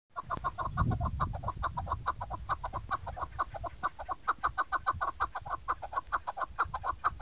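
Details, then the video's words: A female chukar partridge gives a rapid, steady run of dry, clucking chuck notes, a couple each second, with a low rumble of handling or wind at the start; used as a hunting lure call. "shiakri chakor sound keklik sesi dasi female hunting sound shikari madi"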